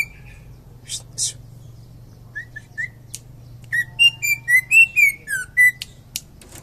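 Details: Champion greater green leafbird in Indonesia: a few soft whistles and clicks, then a lively burst of about ten quick slurred whistles, rising and falling, with sharp ticks between.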